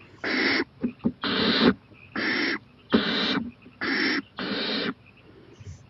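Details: Night-time owl on a porch, 11:26 pm, 23 April 2018, becoming bolder and watching a playground: six loud, noisy screeching hisses, several drawn out past half a second, with faint clicks between.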